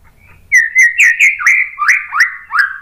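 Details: White-rumped shama phrase used to provoke another bird to sing: a clear whistled line broken into quick rising and falling slurs, about eight notes, loud and fluting.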